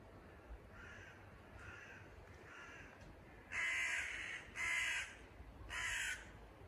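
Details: Crow parents, excited after their chick fell out of the nest at a house threshold, flying around and croaking; a few faint hoarse caws, then three loud, harsh, drawn-out croaks about a second apart.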